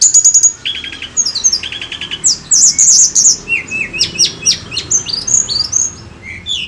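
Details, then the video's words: Sunda robin giving a lively, high-pitched song of rapid whistled notes, quick sweeps and trills, delivered in busy bursts with barely a pause and little background noise. "PANCINGAN TLEDEKAN GUNUNG FULL GACOR"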